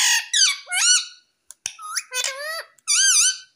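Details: Pet Indian ringneck parakeet in India, known for saying mummy and papa, giving loud, rapid squeaky syllables with wavering, sweeping pitch, some brief clicks between phrases.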